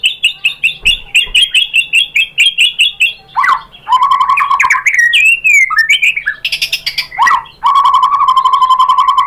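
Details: White-rumped shama lure song to stir a bird into singing: a rapid rattling string of bright notes, then lower rich warbles and fluty slurs, ending in a steady buzzy trill.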